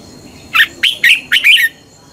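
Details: Red-whiskered bulbul fighting song for morning training: one short phrase of four or five loud, slurred whistled notes in quick succession.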